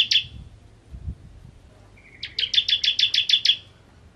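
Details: Bar-winged prinia known as ciblek Kristal, ngentrok style: a single loud high note, a quiet gap, then a run of about nine clipped pulses on one steady pitch.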